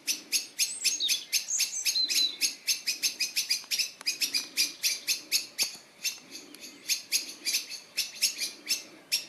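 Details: Birds twittering, recorded in 2021: a fast run of sharp, high chirps about four each second, uneven in spacing, with a thin warbling phrase woven in near the start.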